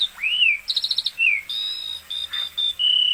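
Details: Asian pied starling singing hard: an arched whistled swoop, a fast rattling trill, a second falling whistle, then long steady high whistled and buzzy notes.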